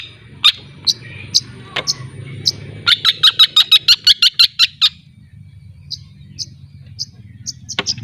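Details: Young long-tailed shrike of Lampung, learning the ngriwik singing style: sharp high ticking notes, then a fast run of about a dozen clipped chips before sparser spaced notes resume.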